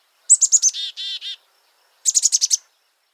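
A black-capped chickadee gives a chick-a-dee call: four quick, high chips, then three harsh, buzzy dee notes. A second fast run of high chips follows.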